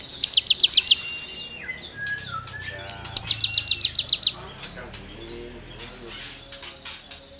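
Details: Cigun in lively full song, used as tutoring material for songbirds: two bursts of rapid, high, buzzy trilled notes, about six per burst, with softer whistled notes and faint chirps between.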